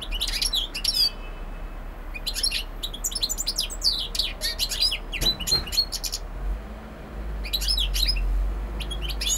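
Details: European goldfinch singing: bursts of bright, rapid twittering and tinkling notes broken by short pauses, over a steady low rumble in the background.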